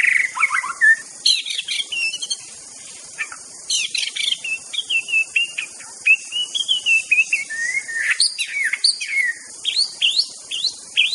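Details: White-rumped shama of the Aceh variety delivering master song: varied whistles, sharp downslurred notes and fast chattering runs in shifting phrases, under a steady high hiss.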